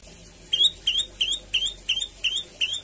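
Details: Javan tailorbird in full song, used as a lure recording to prompt other tailorbirds to sing; seven loud, high, upward-sweeping chirps repeated about every third of a second.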